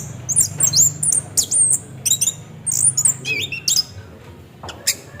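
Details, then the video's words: Orange-headed thrush delivering rolling 'ngeroll' song as a singing lure: a fast string of piercing high whistles and twisting slurred notes, then a lower falling phrase and a short gap, light hum underneath. "Pancingan bunyi nada Anis kembang ngeroll"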